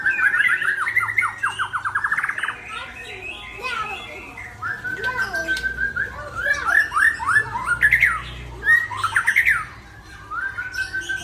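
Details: Aceh-type white-rumped shama in full song, with fast runs of repeated rising whistles, rapid chattering trills and sweeping notes in a dense, continuous stream, followed by a quiet pause near the end.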